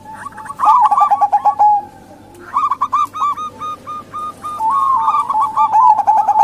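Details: Local female zebra doves calling, a lure to prompt males or wild doves; a stuttering burst of coos, a short lull, then evenly spaced, repeated bubbling notes building into overlapping phrases.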